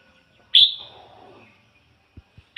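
A red-whiskered bulbul gives a loud, bright whistled note that falls away. A second note comes two seconds later, with a few faint clicks between.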